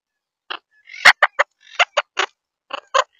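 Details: Monk parakeets, also called Quaker parrots, in St. Pete, Florida: short, harsh, screechy squawks in irregular bursts, about nine sharp notes in three seconds, over a quiet background.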